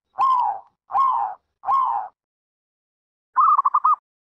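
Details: Zebra dove call: three mellow, falling coo notes, each about half a second long, then a pause and one quick, stuttering trill of clipped cooing pulses.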